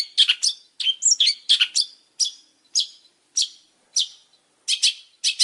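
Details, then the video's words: Long-tailed shrike giving harsh, scratchy chattering notes, first in quick clusters, then as single rasping calls about half a second apart, ending in doubled harsh notes. "Suara burung pentet super gacor"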